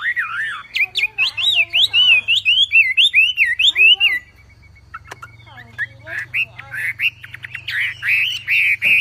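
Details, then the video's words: Javan pied starling song for training songbirds: rapid wavy, looping whistles over a faint low hum, then a lull with faint ticks, then loud bursts of high whistling. "MASTERAN BURUNG WAMBI FULL TEMBAKAN GACOR DOR"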